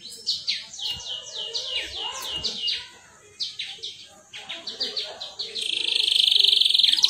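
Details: Atlantic canary in full song, used as a lure to get young canaries singing long rolling phrases; rapid high repeated chirps and trills, ending in a loud, sustained, even rolling trill.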